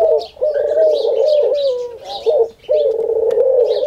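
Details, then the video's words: Singing dove (khumra), said to call daily at prayer time, coos in long, mellow, slightly wavering phrases of a second or more, repeated almost without pause, while small birds chirp high above. "Khumra (singing dove) saying Haq Allah Hoo"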